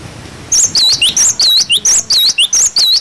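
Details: Clear, high-pitched song of a cinereous tit, used to tutor young birds. The 'wucit wucit' phrases repeat briskly: a looping whistled swoop, then a short lower slurred note, continuing steadily for over two seconds after a quiet start.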